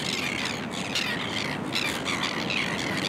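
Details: At Boat Harbour Aquatic Reserve in Kurnell, New South Wales, Kelp Gulls gather on the rocky shore in early September 2020; ragged squawks sound almost without a break against loud crashing waves.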